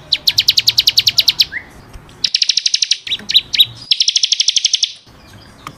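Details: Training song of a bar-winged prinia, ciblek kristal, singing 'gacor' for caged birds: several fast high trills of clipped repeated notes, with a few slurred chirps between runs and abrupt cuts in sound.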